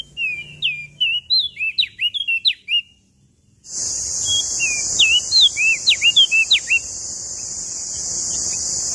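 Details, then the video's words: Prenjak daun of Lombok delivering two bursts of rapid whistled song, sharp flicked notes in quick succession; after a short silence a steady loud hiss runs beneath the second burst. "Burung Prenjak Daun Lombok Gacor Full Isian"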